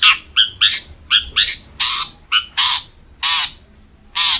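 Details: Long-tailed shrike (cendet) sound meant to coax a lazy cendet into song: harsh, raspy broadband notes mixed with short nasal chips, delivered in uneven bursts.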